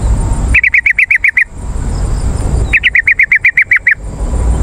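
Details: Yellow-vented bulbul lure recording, used to call wild birds in forest or garden and to spur caged birds to answer: two bursts of about eight quick, loud, evenly spaced chattering notes, separated by a pause, over a steady hiss.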